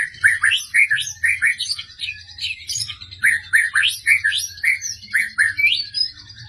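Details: Persistent Medan white-rumped shama firing sharp 'tembakan' notes: a fast, continuous string of bright whistled chirps that swoop up and down, about two per second, with a steady high ringing overtone throughout.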